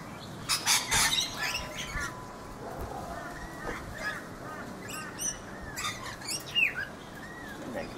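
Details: Rainbow lorikeets feeding in a backyard guava tree in Brisbane, Australia: loud harsh broadband screeches in the opening seconds, then scattered shrill chattering notes and squeaks, with a continuous background hiss.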